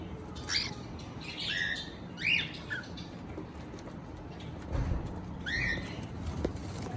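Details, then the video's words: Cockatiel chirping: a few short rising whistled chirps with bright harmonics in the first two and a half seconds, then another pair near the end, over a steady low background hum. "Cocktail singing and chirping sounds"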